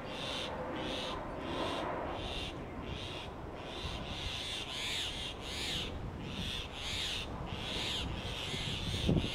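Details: Grey hornbill at its mud-sealed tree-trunk nest in Delhi's summer heat, male regurgitating ficus berries and a lizard for the incubating female. Shrill squealing notes repeat about twice a second in steady series over a constant low background hum.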